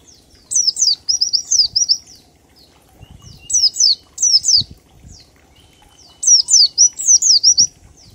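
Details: Oriental white-eye in the ngalas song style with 1234 beats, used as a lure to make other birds sing: bursts of high, thin, downward-sweeping chirps strung into quick runs, separated by short pauses.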